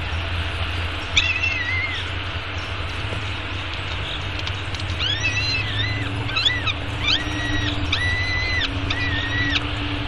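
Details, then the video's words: Young peregrine falcon eyas begging while fed at a downtown Arizona nest on a spring morning, 9:28 am, May 24, 2016; series of drawn-out, harmonic squeals with rising starts and flat tops, after a quiet opening, against constant low traffic rumble. "Peregrine Falcons~ Breakfast for Baby Falcon"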